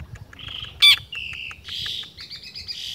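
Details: Long-tailed shrike singing in full voice, imitating other birds; a varied string of high whistled and buzzy phrases, one loud sharp note near the start, then steady warbling.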